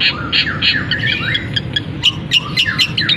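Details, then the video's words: Long-tailed shrike in a cage, singing borrowed canary, sparrow and kapas tembak phrases after uncovering. Harsher, squawky slurred notes give way to clipped, ringing high chirps that repeat rapidly and unevenly. "Cendet Gacor Isian Kenari, gereja tarung, kapas tembak"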